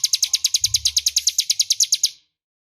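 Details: Crescent-chested warbler in the clear, loud ngebren song style, used as master song for training magpie-robins: a fast, even trill of high sharp notes, about eight per second for two seconds, then stopping abruptly.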